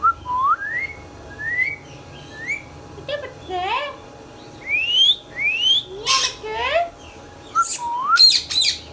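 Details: Indian ringneck parakeet, green pet talking bird, repeats upward-sliding whistles, then adds rougher squawks and sharp screeches toward the end over a faint low hum.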